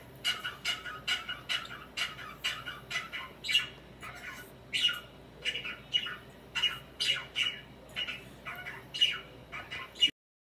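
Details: Budgerigar kept as a pet, swinging and preening, gives a steady series of short grating chirps, roughly two per second, each a scratchy burst, in a small quiet room.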